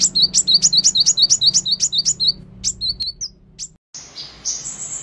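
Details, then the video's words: Van Hasselt's sunbird, red-breasted ninja sunbird, in full song: a rapid series of thin, high descending chirps repeated about three per second, slowing toward the end, then a brief steady high tone. "Kolibri Ninja Dada Merah Gacor"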